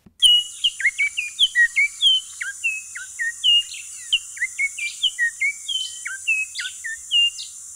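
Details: Altamira oriole, found in South Texas, sings a steady run of very loud, clear whistled notes, some slurred downward, about three per second, over a constant high insect-like hiss.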